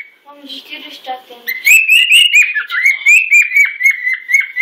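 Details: A household voice is heard briefly, then a male cockatiel bursts into loud showing-off song at Sunday breakfast: a steady stream of high, rapid, slightly rising and falling whistles for the rest of the recording.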